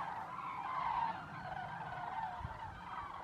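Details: Common cranes arriving at lagoons at nightfall in Zamora, Spain, calling together as a flock with constant trumpeting: a steady wash of overlapping rolling, trumpeting notes with no clear gaps, faint low rumble underneath.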